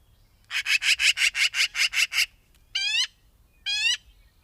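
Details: Magpie rattling off a run of nine harsh chattering notes, then two separate nasal, harmonic squawks with a downward-curving tone.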